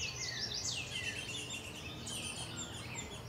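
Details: At Salt Point on 27 June 2020, Baltimore oriole parents come to their nest. Loud sweeping chirps and chatter fill the short stretch over background noise.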